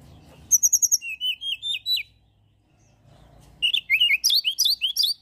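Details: Mountain tailorbird singing as a lure for other birds: a rapid, very high trill gives way to a row of down-slurred whistles, then after a short gap a fast, busier run of twisting notes over a low background rumble.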